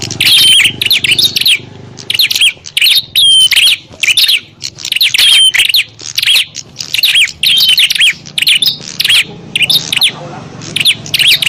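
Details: Fighting call of bar-winged prinias, meant to draw in wild prinias: dense, repeated bursts of scratchy high chirps and short falling whistles, separated by brief gaps.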